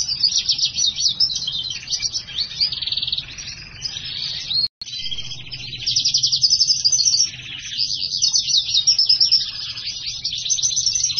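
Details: Black-hooded siskin crossed with house finch, singing at length: long chains of high rapid trills and twitters, a brief cut in the middle, quieter stretches alternating with louder rattling bursts.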